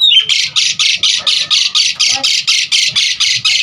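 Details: Rapid series of harsh, raspy buzzing notes from an Asian pied starling, evenly repeated about twice per second throughout, part of a lure and training song for starlings.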